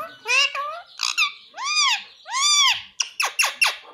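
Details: Pahadi parrot kept as a pet, said to speak the word "mummy": a series of loud, harmonic, arching vocal sounds over about two and a half seconds, then three sharp, short descending notes in quick succession.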